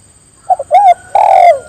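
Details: Spotted dove calling others to join in, a short series of low cooing notes: two brief coos, then a longer rising-falling coo and a drawn-out descending coo; a steady high electronic tone runs throughout.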